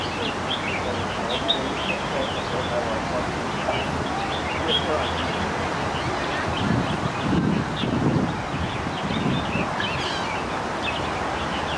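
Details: Red-whiskered bulbul (Pycnonotus jocosus), call.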